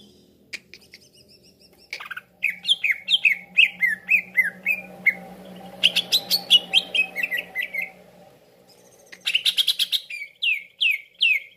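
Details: Cucak ijo calling as a trapping lure, repeated downslurred whistles about four per second, shifting into scratchy chatter and more falling whistles, with a steady low hum beneath.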